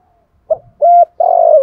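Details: Cooing spotted dove used to coax new decoy birds into calling, 2024: a short clipped note, a steady hollow coo, then a long burry coo, with the phrase cut off.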